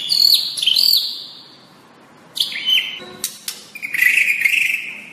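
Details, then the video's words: A white-rumped shama tutor recording opens with high looping whistles that dip and rise. After a pause come sharp clicks and a rattling buzz, then a sustained, slightly burry whistle phrase near mid pitch. "Jangan salah pilih masteran untuk murai anda"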